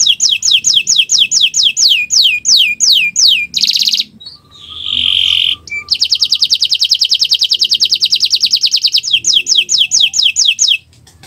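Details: Canary gacor owor-owor song used to coax birds into singing: repeated falling whistles, a brief steady tone, then a long fast rattling trill ending in descending whistled notes.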